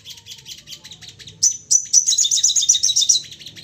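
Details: Excited crested jay (sogon) calling in rapid bursts, used as a lure to provoke other birds to call. High, sharp chattering notes repeat about four per second, then become a louder rattling series of clipped whistles.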